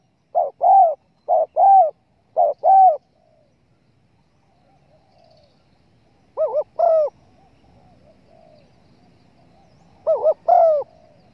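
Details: Hunting lure recording of a spotted dove: three quick pairs of low coos at the start, a pause with faint murmuring, then two more wavering double coos later, each pair ending in a drawn-out note.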